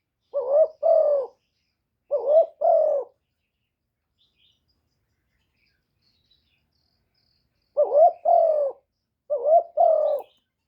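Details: Lure spotted dove calling to rouse other doves, recorded clean: four two-note coo phrases, a brief first note followed by a fuller drawn-out one, in two bursts separated by a long silence.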